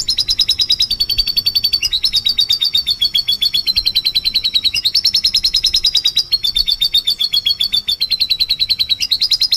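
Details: A canary sings a long, unbroken run of rapid, high, bright trills, shifting to a new rolling phrase every second or two; used as a lure song to prompt other canaries to sing.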